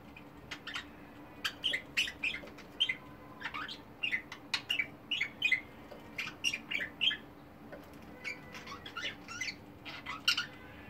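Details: Domestic budgies, a lively multicoloured group, keep up a long stream of short sharp chirps and scratchy notes, roughly two to three per second, over a faint constant hum.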